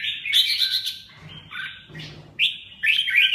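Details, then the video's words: Short burst of red-whiskered bulbul song, a fast scratchy warble, a brief lower pause, then another bright chattering phrase. "chim Chào mào"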